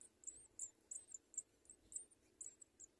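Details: Pair of young house sparrows fed by adults, giving sharp, very high squeaks in short runs, roughly three bursts a second, with a soft low hum behind.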